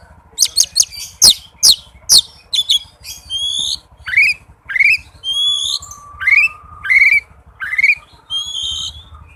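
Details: White-rumped shama song played as a lure for a shama that will not sing: opening burst of sharp clicks, then clear rising whistled notes repeated roughly every second, some paired, with faint low background hum.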